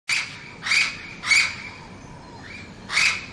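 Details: Orange-winged amazon in Lecheria, Venezuela, where the parrot is common in town: four loud, harsh squawks at irregular intervals over a hissing background, with fainter calls between.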